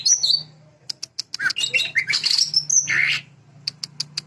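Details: High chirps and a dense, squawky jumble of slurred notes from a greater green leafbird performing sewing-machine filler, closing with a few separate crisp ticks.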